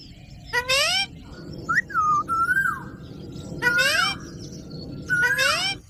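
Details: Pet green parrot talking: loud harmonic whistled calls sweeping upward, in three bursts about two seconds apart, with thinner descending whistles between them and a steady low background hum.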